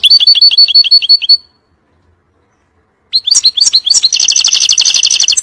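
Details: Goldfinch song for tutoring chicks: a string of quick, evenly spaced chirps is followed by a silent gap of nearly two seconds. Then come a tumble of high twittering notes and a long, rapid, rattling trill.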